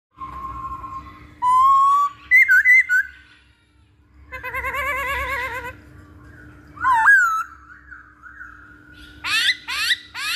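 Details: Masked laughingthrush lure song: steady whistled notes, wavering warbles, a buzzy trilled stretch, sliding rising whistles, then loud harsh rising bursts at the end, over a faint low hum.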